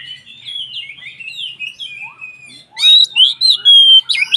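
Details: Oriental magpie-robin singing as a lure to stir other magpie-robins; a soft run of sliding whistles, then loud harsh chattering and long pure whistled notes.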